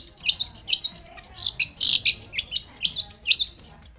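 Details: Long-tailed shrike singing loudly, meant to draw an answer from other shrikes; harsh, scratchy high notes in paired bursts, with one longer raspy phrase in the middle.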